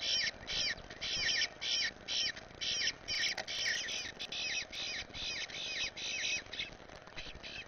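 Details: Young Eastern bluebird being fed by its parents in a yard, after the brood of four left the nest, repeating loud raspy begging bursts almost continuously, about two each second, with constant hiss behind.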